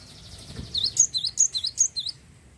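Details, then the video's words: Java sparrow, a prolific singer played to prompt other birds to sing, gives seven high, sharp, bouncing notes in a quick, even series about one and a half seconds long, over low background hum. "glatik wingko gacor mampu merangsang burung glatik anda jadi bunyi"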